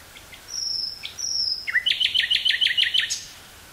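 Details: Common nightingale in song, woods near Burgh-Haamstede, Netherlands, 18 May 1983, portable tape recorder: two long pure high whistles, then a rapid sequence of about eight repeated chopping notes ending in a high flourish.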